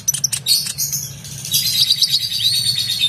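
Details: Oriental magpie-robin singing intensely, recorded as tutor material for competition songbirds: a dense, continuous stream of rich high warbles, trills and rapid chirps, over a steady low hum.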